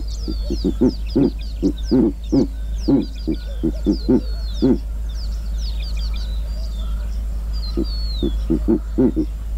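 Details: Kruger National Park giant eagle-owl producing a steady run of low, pulsing grunts, some paired, with a lull before a final burst. Busy high chirping from other birds fills the background.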